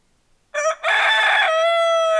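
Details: A rooster crows as a wake-up call. After half a second of quiet, a loud, rich crow bursts out and settles into a long, steady, held note.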